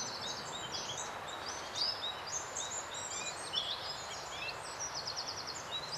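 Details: A flock of lesser redpolls at a feeding station on Cromwell Bottom Nature Reserve, one perhaps a mealy redpoll: busy, overlapping chatter of high, dry, buzzy calls and short trills above a steady rushing hiss.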